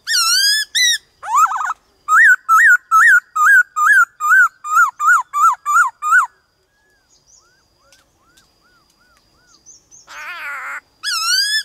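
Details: A loud, clear black-throated laughingthrush song of rapidly repeated whistled notes, each rising then falling, about two per second, with a few quieter notes between phrases.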